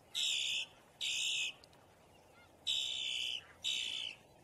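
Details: Loud rasping distress or alarm notes of a boat-tailed grackle: four flat, buzzy blasts about half a second long, given in pairs with a longer silence between the pairs.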